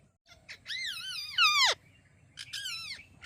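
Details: Parrot calling "Mithu Mithu": two drawn-out, wavering, harmonic-rich vocal phrases, the first sliding downward at its end, with brief short notes before each.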